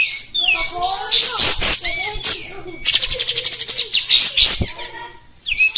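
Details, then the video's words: Kept olive-winged bulbul (kapas tembak) in rough, prolific 'kasar gacor' singing form, delivering a dense, loud stream of high chattering, twittering and rapid trilled notes with brief swooping whistles, barely pausing, ending after a short quiet gap with another burst. "Suara Burung Kapas Tembak Kasar Gacor"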